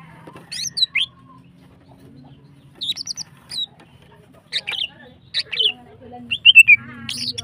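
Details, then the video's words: Female greater green leafbird singing to bring other birds into breeding condition: scattered short phrases of high, sharp chirps and curling whistles separated by quiet gaps, growing denser and louder toward the end. "CUCAK HIJAU BETINA GACOR HIPER NEMBAK PANJANG BIKIN BIRAHI SEMUA BURUNG"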